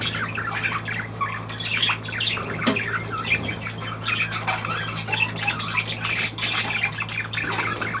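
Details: Pet budgerigars produce steady, raspy chattering with frequent sharp clicks and squeals layered together, accompanied throughout by a faint low hum.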